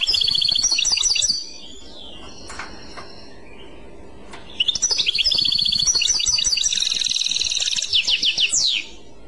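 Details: European goldfinch, clochette song style: a short phrase of repeated high trilled notes, a gap with faint calls, then a long jangling twittering phrase closing with a sweeping downward slur.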